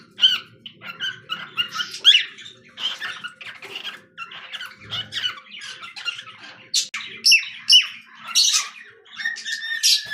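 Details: Indoor pet cockatiel in a long run of song, busy chattering chirps, squeaks and harsh warbles tumbling one after another for ten seconds, with a sustained whistled note near the end.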